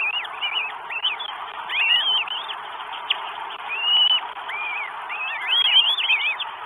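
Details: Northern goshawk recorded 12 May 2022 in Estonia as a bird comes in with food: scattered high whistled arcs, some long and gently curved, interleaved with quieter overlapping calls.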